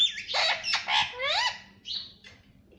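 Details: Talking pet rose-ringed parakeet saying "mummy papa": a quick burst of raspy, voice-like syllables with a rising slur, then two short high squeaks as it trails off.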